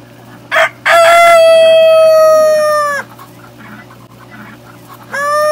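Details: Rooster crowing on a farm: a short rough opening note, then a long sustained, slightly falling harmonic crow held for about two seconds, and a second crow beginning at the end over a steady low hum.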